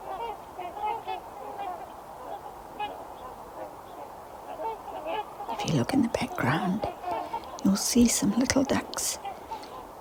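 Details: Flock of trumpeter swans in the Fraser River Valley on a freezing January day: overlapping nasal, horn-like honks for about five seconds, then a woman's voice talking over continuing calls.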